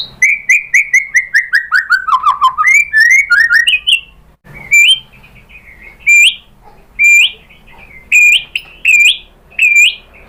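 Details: White-rumped shama in full vigorous song, used as a lure to draw replies from other shamas: a fast descending run of clipped notes, then bright rising whistles, then loud upslurred whistles repeated roughly every second.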